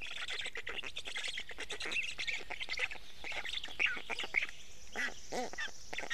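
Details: Black stork chicks at a nest in Estonia, fed fish by their father at 6:41 am on 29 May 2018; dense, raspy, hoarse begging calls in rapid overlapping bursts, with songbirds whistling in the background.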